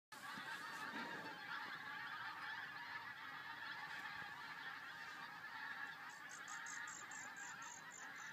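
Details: Pink-footed geese flying out to The Wash over RSPB Frampton: a dense, continuous chorus of overlapping honking calls from a large flock, with a few thin, high chirps near the end.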